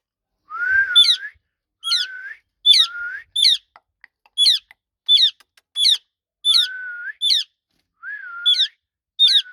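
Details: Ringneck parrot talking with a long run of sharp, bright upward-sweeping squeaks, each preceded by a short low whistle, repeated about once a second in a quiet room.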